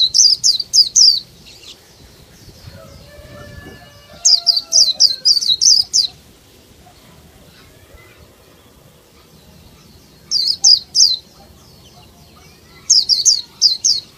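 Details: Caged female Oriental white-eye, used to stimulate males to sing, delivers four separate bursts of fast, shrill, high chirps, each about one to two seconds long, separated by pauses with soft lower whistles in between.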